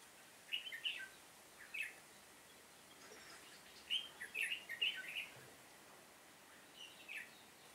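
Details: Red-whiskered bulbul singing as a decoy during bulbul trapping, 7 September 2018: short bright warbled phrases around mid-high pitch, grouped in bursts of two to four notes with quiet gaps between.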